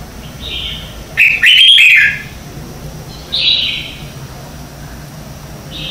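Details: Morning contest singing from a red-whiskered bulbul, recorded as a training lure. A soft whistle leads into a loud, clear phrase of quick rolling notes. Two more moderate whistled phrases follow at intervals.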